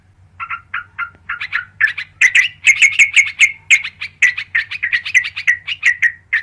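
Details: Sooty-headed bulbul (trucukan karuang) lure call: soft, evenly spaced chirps at first, swelling into a loud, steady string of bright bubbly notes about three per second, over a faint low hum.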